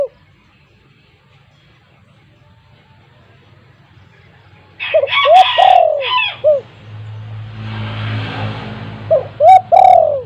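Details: A loud-voiced spotted dove used as a lure coos late in the recording: low hooting phrases ending in falling coos, mixed with rough, higher noise and a band of low hum.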